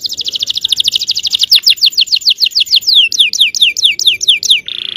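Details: Yellow canary song used to prompt other canaries to sing: a rapid high trill slowing into a cascade of separate down-swept whistles, ending in a brief buzzy note.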